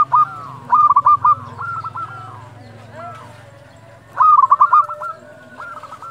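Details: Lively local zebra dove calling at dusk, used as a lure for training: bursts of rapid, bouncing cooing notes in two loud phrases, with a faint chorus of other doves and steady low hum.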